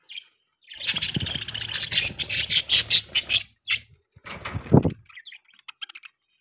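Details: Budgies chattering in a rapid run of scratchy chirps, about two to three per second, then a second burst with some low thumps and rustling.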